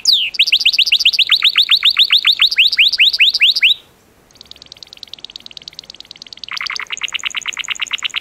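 A Gloster canary sings rapid runs of bright, downward-slurred whistles, several per second, then after a brief pause switches to high, dry buzzy trills and rolling notes.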